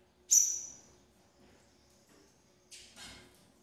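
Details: Double-collared seedeater, a female feeding chicks. One sharp, very high whistle fades away, then two short, rougher bursts of noise follow after two seconds.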